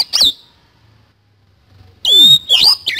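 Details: Oriental magpie-robin (kacer) singing in the 'isian kasan' style, played as training therapy to get kacer to sing. A short burst of sharp whistled notes is followed by over a second of near silence, then louder swooping, chattering phrases.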